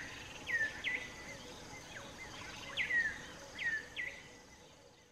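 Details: An African Emerald Cuckoo in southern Africa calls out in the open from a song post, advertising presence or attracting a mate. It gives clear, downslurred whistled notes in pairs, about two per second, over a steady hiss of insects.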